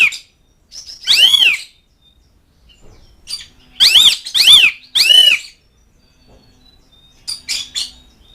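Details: Asian pied starling calling to friends and rivals, giving loud harsh arched squawking notes, single then a rapid run of three, with softer chattering between; background otherwise quiet.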